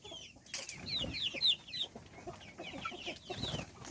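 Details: Chicks chirping as they are fed; a lively run of high, downward-sliding peeps, several in quick succession, over background scratching and clicking of feeding.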